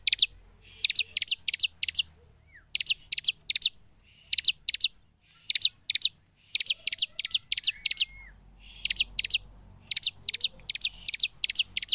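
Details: Bar-winged prinia in lively gacor song: a steady stream of high, steeply falling notes in tight groups of three to five, repeated almost without pause for the full stretch, with low background rumble.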